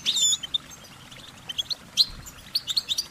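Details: Goldfinch song: quick high chirps and short warbling notes in a bright, scattered series, with a sharper burst of twitters near the end over a quiet background.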